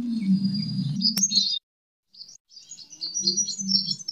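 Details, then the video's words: Fighting song of a sunbird, played to lure and train birds: a shrill, high, scratchy twitter in two bursts split by a short pause. A low droning hum sits under the first burst. "Suara: -*BuRunG*- [Pancingan] ( KOLIBRI TARUNG ) BUAT MASTER"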